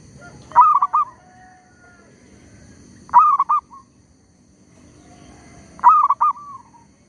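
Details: Zebra dove used as a trapping lure, calling steadily despite a tree squirrel's disturbance. Three bright, stuttering coo phrases spaced about 2.5 seconds apart, each ending in a short trailing note, with quiet pauses between.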